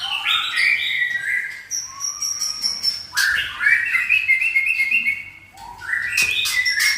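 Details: Captive white-rumped shama moulting, released to roam inside a livestock shed, singing in an agitated state with tail pumping: clear flowing whistled phrases, rising and falling, with sustained high notes and sharp clicks, while a man exclaims approvingly.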